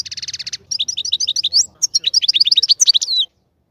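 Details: In a breeding cage, a European goldfinch starts with a dry buzzy rattle, then pours out a lively string of sharp, slightly rising chirped notes, roughly fifteen in quick succession, before stopping.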